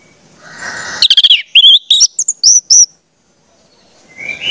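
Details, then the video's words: Orange-headed thrush song, used to train young spotted birds to sing: a rapid burst of short, sharp, high whistled notes, then several loud slurred whistles that rise and fall. The song stops abruptly, then a soft rising whistle follows. "pancingan anis merah, trotol dengarkan ini pasti jadi calon gacor"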